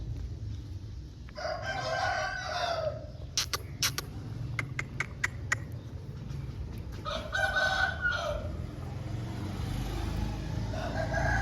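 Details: Pure Lasani Aseel rooster crowing, a hoarse drawn-out crow early, sharp clicks and knocks in the middle, then another rough crow and the start of a third, over low rumbling background.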